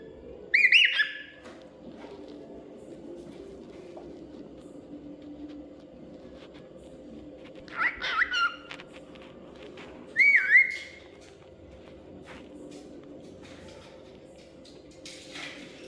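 A cockatiel gives three brief whistled chirps, spaced several seconds apart, over a low steady hum.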